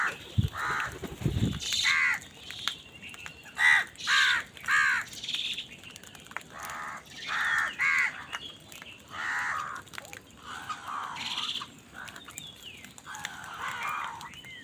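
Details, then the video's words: Crows fighting over food produce a long, irregular series of raspy caws, some clustered in quick pairs, mixed with thinner chirping calls and a low thump near the start. "কাকের ডাক Crow Sound Crow ki Awaz Loudly | Crow bird Fight for Food"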